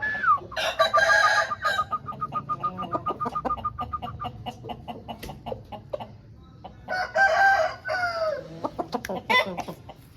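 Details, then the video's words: Home-bred Aseel rooster gives two hoarse crows about six seconds apart, separated by a steady series of quick clucks and clicks, with more clucking after the second crow. "Aseel Birds Sound Effect"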